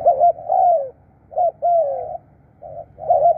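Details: Spotted dove decoy calling in Thailand, a few low hollow coos, each a quick clipped note leading into a longer sliding-down coo.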